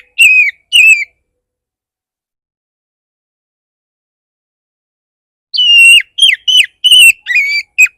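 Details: Oriental magpie-robin song played to provoke other magpie-robins into singing: two short whistled phrases, then a rapid run of sharp, bright, warbling notes after a pause.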